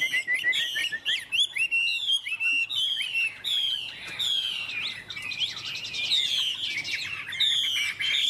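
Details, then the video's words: Lively hwamei song: dense, bubbling stream of slurred whistles, trills and high twitters, running on almost without pause. "Họa mi đẹp hót hay"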